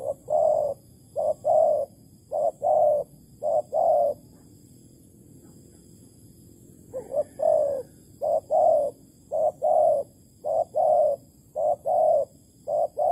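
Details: Malaysian spotted dove coos at a plain-bait trap, 11.08.2020; a run of soft low paired notes, short then drawn out, breaks off for about three seconds, then restarts in the same steady rhythm.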